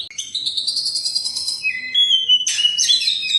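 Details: Oriental magpie-robin (kacer), first-place winner 11 times, holding a long, buzzy, slowly rising trill, then dropping into a clear whistle before breaking into bright chirps.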